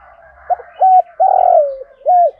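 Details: Spotted dove used as a lure for wild doves, delivering one cooing phrase: a brief hiccup note, a short coo, a long buzzy falling coo, and a closing short coo, with soft chatter behind.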